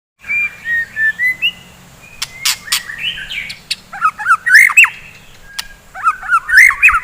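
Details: White-rumped shama singing lively 'gacor' song in the morning, used to rouse fighting shamas: clear whistled phrases, some slurred and rising, then quick twisting notes in rapid bursts with sharp clicks between.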